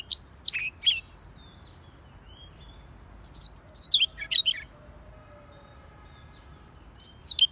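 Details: Siberian rubythroat in gacor song, known as si leher merah: short bursts of piercing high whistles and quick twittering notes, separated by long pauses, with faint soft low tones in between.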